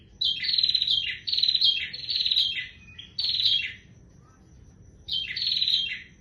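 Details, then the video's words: Bar-winged prinia in full song: bursts of rapid buzzy, chattering high notes lasting about a second, repeated four times with short pauses, ending on a brief lower note before the last phrase. "prenjak tier gacor"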